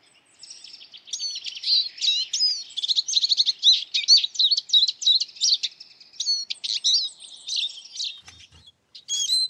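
Eurasian siskin giving a fast, high, run-on twitter of chirps, trills and thin wheezy notes, nearly unbroken for about eight seconds; a brief low thump near the end.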